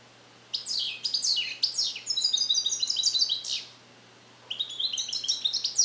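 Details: Male European goldfinch from 2021, bred in captivity and trained on Neapolitan song, singing in a small carrier: sharp descending sweeps leading into a rapid liquid twitter, then a new burst of high chattering begins.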